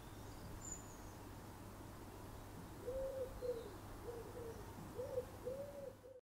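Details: A common wood pigeon visiting a garden in Somerset, UK, in February 2018, gives a phrase of about six soft, hollow, low coos in a steady rhythm, over a constant low hum.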